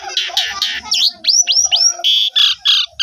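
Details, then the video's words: Asian pied starling song intended to stir other starlings to sing, with harsh buzzy bursts, three looping whistled slurs and a string of loud grating notes at a quick, steady pace. "Pancingan Jalak Suren 100% Jitu !! Jalak Suren Macet Langsung Ikut Gajor Full Isian"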